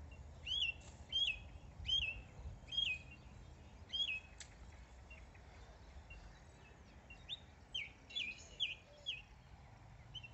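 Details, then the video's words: Song thrush heard on a Saturday 5 June autumn walk near water with yachts racing; bright whistled phrases, each repeated two or three times before switching to a new one, over a faint low outdoor rumble. "I feel so lucky I got to listen to a song thrush."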